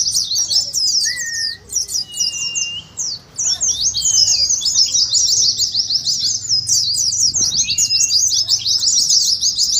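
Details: Twittering of Oriental white-eyes, the ngeriwik style, used to prompt caged birds as in a contest: high, sharp chirps, uneven at first with short gaps, then a long unbroken rapid stream.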